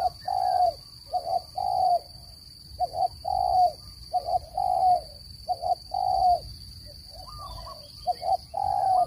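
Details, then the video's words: Spotted dove call for trapping birds: a run of low mellow coos, quick doubled notes each followed by a longer drawn coo, phrases repeated irregularly across nine seconds. "Tiếng chim cu gáy dùng để bẫy chim,giọng chuẩn không tạp âm"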